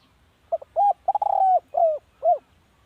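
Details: {'caption': 'Spotted dove cooing, used to lure birds as a decoy: a short twin note, a rounded coo, a quick rolling stutter into a long hollow note, then two downward-curving coos.'}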